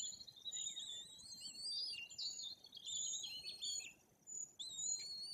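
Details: White-tailed eagle chicks almost three weeks old, in a nest in Bory Tucholskie, Poland, tended by both parents, give thin, high piping and chittering calls in near-continuous bursts that rise and fall, with a faint low rumble of wind beneath.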